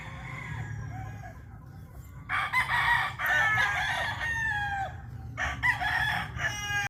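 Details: Cyborg Grey rooster crow: after a soft opening note, a long harsh crow rises loud and trails off, followed by a shorter second crow, with a constant low hum underneath.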